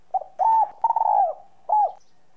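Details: Close spotted dove cooing, 'giọng son' style used to prompt other doves to call: clipped opening note, smooth level coo, a wavering coo trailing downward, then a last curved coo after a short pause.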